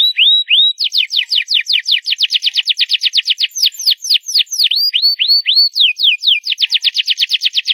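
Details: Loud singing canary delivering series of repeated sharp down-slurred whistles about eight per second, interspersed with rising hooked notes and a brief lower rolling phrase.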